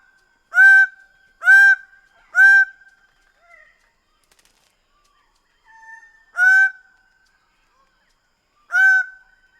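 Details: Greater bird-of-paradise in a series of three honking calls about a second apart, a few soft notes, then two further spaced honks; each call nasal, loud and harmonic-rich.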